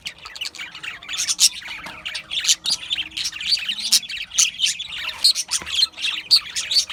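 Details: Budgerigars chattering continuously, a dense stream of rapid high warbles, squeaks and clicks overlapping with hardly a gap, like a small flock calling together.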